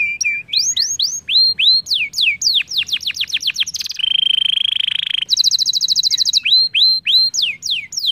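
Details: Energetic canary lure song meant to get other canaries singing: varied upswept and falling whistles in quick series, a long low rattling trill, a high buzzy trill, then more looping whistles.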